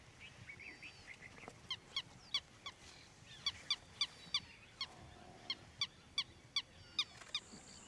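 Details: Indian peafowl in Ranthambore National Park, India, in November 2023, giving about fifteen short, loud, nasal honks spaced a few tenths of a second apart, with faint thin whistles from other birds early on.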